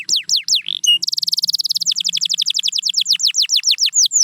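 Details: Canary song for encouraging quiet canaries: a few falling whistles and a short rising note, a fast buzzy trill, then repeated descending sweeps that slow toward the end.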